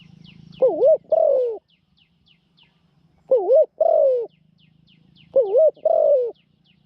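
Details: Spotted dove kept as a trapping decoy, cooing in rising-falling, wavering double phrases about every two and a half seconds, while thin high chirps from other birds tick steadily behind and a low hum runs underneath.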